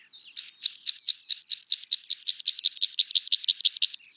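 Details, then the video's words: Meadow pipit of open grassy country singing a loud run of about eighteen high, identical notes, evenly spaced at roughly five per second, over clean, quiet surroundings. "Meadow Pipit - Songs"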